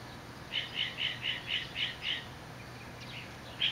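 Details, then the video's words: Northern mockingbird in Orange, California, July 18, 2009, with a repertoire unlike eastern birds. A single chirping note repeats seven times at a steady quick pace, followed by softer scattered notes, over a steady low background hum. "Northern Mockingbird"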